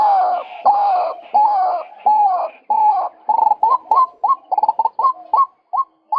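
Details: Male white-breasted waterhen call played as a trapping lure: loud harsh notes repeated about once a second, slowing into a series of short rising 'kook' notes that quicken toward the end.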